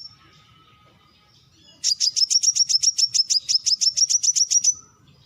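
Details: Brown-throated sunbird giving a long, rapid trill of about eighteen high, sharp chips at an even pace, over a quiet background.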